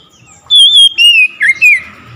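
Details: Oriental magpie-robin bursting into loud song on hearing another magpie-robin: four clear, sweet whistled phrases over about 1.5 seconds, the first long and level, the later ones sliding downward with short rising flourishes.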